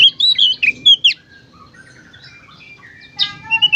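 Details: Oriental magpie-robin in loud, energetic song, presented as therapy to make other magpie-robins sing: clear whistled phrases and slurred notes high in pitch, a gap of near silence, then rapid sharp chips and a sweet whistle at the end.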